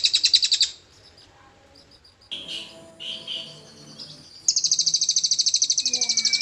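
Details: Cililin bird song used as training material to draw out magpie robins: bursts of rapid, buzzy high trills pulsing about four times a second, separated by a quieter stretch of soft notes and a faint slurred whistle.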